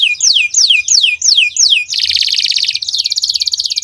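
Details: Canary singing at length, a recording meant for training songbirds: four loud, ringing notes that rise then fall steeply, followed by a dense buzzy roll and then a finer rapid trill.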